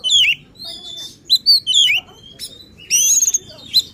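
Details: Oriental magpie-robin singing excitedly to provoke other magpie-robins: clear descending whistles, short sweeping notes and a rough buzzy burst, a few phrases with quiet gaps between them.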